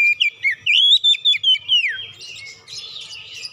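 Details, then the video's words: Oriental magpie-robin song played to make other magpie-robins sing. A quick string of bright, rising and falling whistles ends in a descending slide, followed by softer scratchy chatter. "PANCINGAN KACER BUKA PARUH GACOR NGEPLONG BONGKAR ISIAN"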